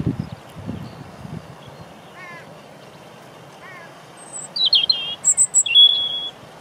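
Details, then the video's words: European robin close to the lens in Deal, Kent, UK, 17 April 2021, windy: low wind rumble and faint distant chirps first, then a bright cluster of high sharp whistled notes and a level thin whistle. "European Robin Song"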